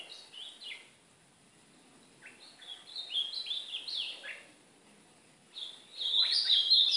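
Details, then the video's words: Training song of a brown ultramarine grosbeak, recorded alongside the white-throated seedeater. Short phrases of clipped, descending notes are separated by near-silence, and a loud, bright burst of warbling comes at the end. "1 hora de treino de azulão pardo"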